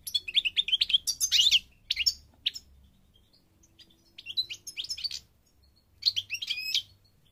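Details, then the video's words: Moroccan goldfinch, parva form, singing: a rapid twittering phrase, a few sharp notes, then two more bursts of bright, trilled song after short silences. "The Goldfinch's Song North Africa - Parva Morocco Bird Song"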